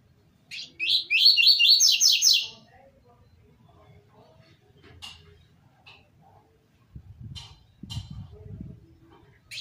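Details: Seedeater song in the 'tui tui zel zel' style for training young birds: one bright phrase of about seven quick, evenly spaced slurred notes, followed by scattered faint chips and low rumbling noise.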